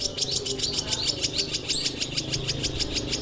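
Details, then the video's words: Long-tailed shrike song offered as a vocal tutor for other songbirds: a rapid run of sharp, high chattering notes, roughly three per second, with small twittery flourishes over a steady, slightly hissy background. "SUARA MEWAH CENDET SIAP JADIKAN GURU VOKAL"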